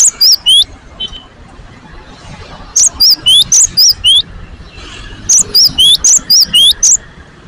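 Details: Great tit, newly placed in a cage, sings faster, see-sawing two-note whistles. Brisk runs of five or six phrases are broken by silent stretches of about a second.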